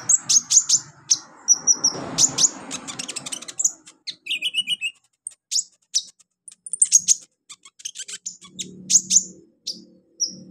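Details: Olive-backed sunbird training song for young birds: rapid high chirps in dense bursts, a brief buzzy trill and thin whistles, separated by short pauses, light low hum.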